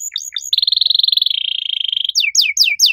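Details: Singing canary with loud, clear, uniquely styled phrases: a few quick notes, a long steady rolling trill that dips slightly in pitch, then several sharp downslurred whistles.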